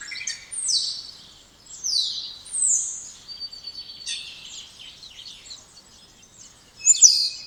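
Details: Spotless starling, Sturnus unicolor, singing: high whistled slurs sweeping downward, clicks and buzzy notes in bursts separated by short pauses, ending with a sharp bright squeal.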